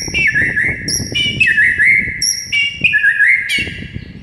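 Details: White-rumped shama in a morning singing session, long clear whistled notes with wavering warbles and sudden jumps up to high ringing tones, steady and loud.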